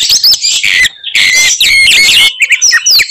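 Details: Oriental magpie-robin in fighting song, its typical bursts said to enrage other magpie-robins; dense run of sharp whistles, rapid trills and scratchy notes, mostly high-pitched, broken by a brief low pause near one second.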